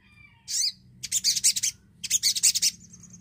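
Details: A Javan cochoa sings as a lure to draw song from quiet birds: a rasping, high note followed by two dense, gritty chattering bursts, each made of several quick pulses, with a thin whistle trailing at the end.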